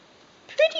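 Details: A male pet eclectus parrot speaking indoors produces a quick two-part voiced utterance. It is loud, clipped and word-like, with bright harmonics, and the room is otherwise quiet.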